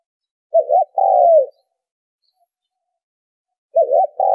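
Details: Low spotted dove coos used as a bird lure: one full phrase of a wavering short note and a long falling coo, then a long silence before the next phrase begins.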